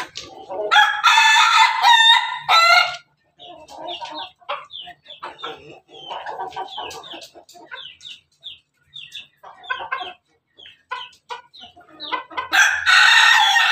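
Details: A red laughing-chicken (ayam ketawa) rooster on top of its cage crows melodiously: a loud harmonic opening, then a long run of quick, stuttering chuckle-like notes, ending with another loud crow.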